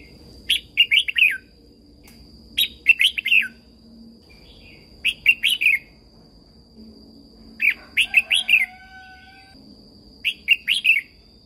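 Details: Thai caged red-whiskered bulbul song for training and stimulating other birds: five lively phrases of quick whistled, wavering notes, one every two to three seconds, with a faint low whistle after the fourth phrase.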